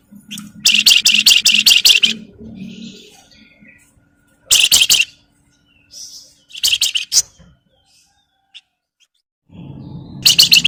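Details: Javan myna, locally called flamboyan or wergan jawa, chattering loudly as a lure so other birds sing: grating rapid bursts of harsh scratchy notes separated by silences, with a low hum underneath at the start and end.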